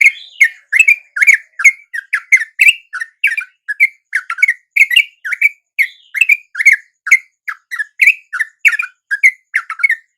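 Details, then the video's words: Wild yellow-vented bulbuls respond to a lure at dawn with continuous cheerful chattering: bright, liquid chirps tumbling over one another without a break for ten seconds. "RATA-RATA TRUCUK macet LANGSUNG NYAMBER dan IKUT BUNYI dengan pikat TRUCUK shubuh ini"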